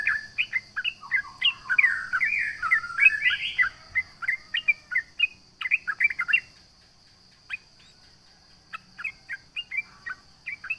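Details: Sooty-headed bulbul (trucukan) in full song meant to taunt rivals: a rapid tumbling burst of chattering whistles for six seconds, then sparse clipped notes after a pause, with a constant high whine in the background.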